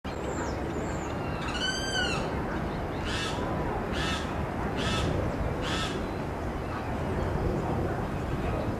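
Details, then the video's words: A Limpkin gives four loud, harsh wailing cries about a second apart, after thin high whistles from other birds, over a steady roar of wind or traffic. "Caraú voz/Limpkin voice"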